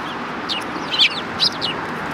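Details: Eurasian tree sparrows, several birds, at the front approach of a Tenmangu shrine on 12 December 2019: a few sharp, high chirps within two seconds, the loudest near the middle, over a steady hiss of noise.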